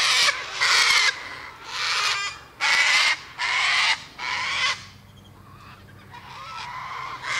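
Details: Cockatoo screeches in harsh, broadband bursts of about half a second, six in quick succession and then a pause before another starts; a low steady hum sits underneath.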